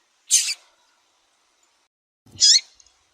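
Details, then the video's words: Female double-collared seedeater, kept by breeders, calling to stimulate and warm up a male: two short, bright high-pitched notes about two seconds apart, each a quick chirp, with silence between. "FÊMEA DE COLEIRO CHAMANDO MUITO QUENTE FOGOSA E PIANDO"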